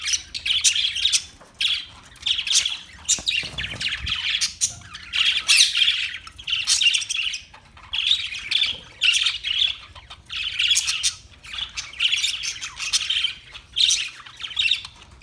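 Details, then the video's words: Chirping parakeet with repeated rasping, buzzy squawk bursts about every second, interspersed with shorter tweets and short quiet gaps, low hum underneath. "Parakeet Sounds Parrot Chirping Sounds"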